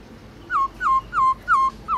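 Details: A black-throated laughingthrush being trained sings a rapid run of five short, identical whistled notes, each sliding down and flattening, spaced about a third of a second apart, midday forest-voice song.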